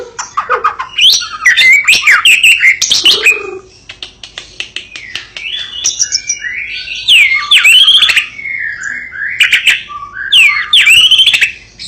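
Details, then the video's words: White-rumped shama of the Medan form, kept as a fighter bird, pouring out loud varied song: rapid trills, swooping whistles and harsh chatter in long unbroken phrases, with clicking sounds in the background. "Burung fighter / petarung murai batu medan"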